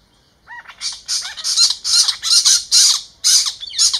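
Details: Spotted owlets in Ahmedabad, Gujarat, give their screeching call: harsh, hissing screeches in quick bursts, about two a second, with a few tonal chirps mixed in.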